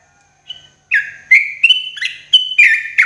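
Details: Sooty-headed bulbul in morning song, used as therapy for cage birds: a quick run of bubbly, slurred whistles that step up and down in short bursts after a soft opening note.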